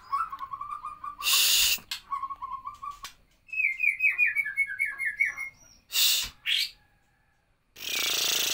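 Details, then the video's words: White-rumped shama singing rapid repeated whistled notes, then a falling run of high, sharp phrases, broken by loud bursts of hissing noise. "murai batu VENOM nembak kapas tembak"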